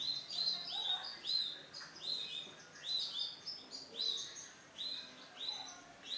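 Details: Bright lemon male canary repeats pairs of sweet rising whistles in a lively rhythm, each phrase ringing and clear against a quiet background.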